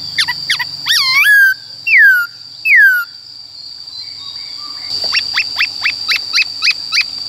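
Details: Wild forest-style song of a white-cheeked laughingthrush, meant for voice training of young birds: loud clear whistles, then three drawn-out descending slurs, then a fast run of about eight sharp rising chips, with a constant high whine behind.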